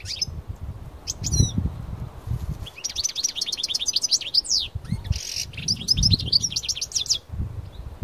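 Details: Parva European goldfinch, a kept bird taken outdoors into nature to sing, delivers strong bursts of rapid, tinkling, high twittering notes broken by brief pauses, with thumps of wind buffeting the microphone underneath.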